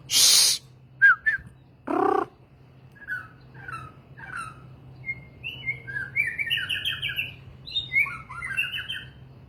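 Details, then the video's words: White-rumped shama (murai batu) song begins after loud hissing and thumping noises: soft scattered whistles build into a rich, rapid sequence of rising and falling warbled notes. "मैगपाई पक्षी bird magpie murai batu"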